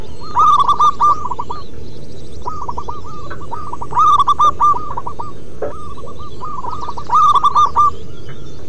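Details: Perched local zebra dove singing at length: a loud stuttering string of rapid coo notes repeats roughly every three seconds, with softer similar cooing filling the gaps over a steady background rumble.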